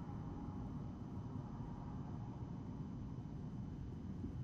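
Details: Steady low rumble of background noise, like distant traffic or wind, with no animal calls heard.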